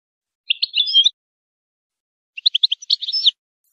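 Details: European goldfinch song, used to improve singing and stimulate goldfinches to mate: a warbled twittering phrase, then after a pause a second phrase of rapid chirps running into a liquid, trilling flourish.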